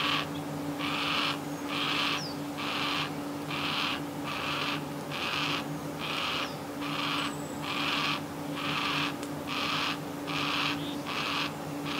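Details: Young yellow-tailed black cockatoo begging for food, seen from a home window: harsh, rasping screeches repeated about once a second in a steady series, over a constant low hum.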